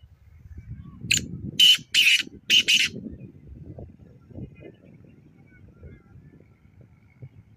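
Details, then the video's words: Black francolin (Kala Teetar) at Nawabshah: a loud, harsh, grating phrase of four rasping broadband notes in quick succession, the middle ones longest, over a faint low rumble. "Kala Teetar Ki Awaz | Black Francolin"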